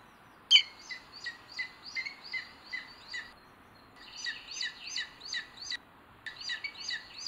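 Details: Booted eagle at a live-streamed nest in Sierra de Guadarrama National Park, Spain, 21 May 2022: three bursts of shrill, clipped, ringing notes, about three per second, with brief pauses between series, over faint hiss.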